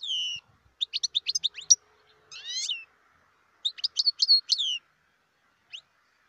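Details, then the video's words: Wild European goldfinch in Algeria singing a varied twittering song: rapid sharp chirps, a rising buzzy slur, then a lively run of tinkling notes ending in one lone chirp. "تغريد الحسون البري"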